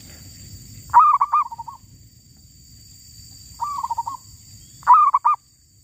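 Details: Wild zebra dove calling during a trapping session that caught a female: three phrases, each a sharp loud opening note and then a soft rolling trill of quick beats, with long quiet gaps between them.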